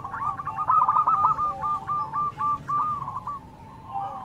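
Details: Zebra dove song traded with local doves, somewhat softer and blurred: a rapid series of rolling, clipped coo notes at about four per second, fading away near the end.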